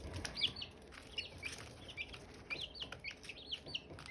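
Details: Chirping from Silkie chicks and hatching eggs: thin, high peeps come in loose clusters, some rising and some falling, with a soft steady hum underneath.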